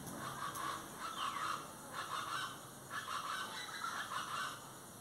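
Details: Plain chachalacas (Ortalis vetula) giving harsh, rasping calls in bursts about every second, with a constant high hiss behind them.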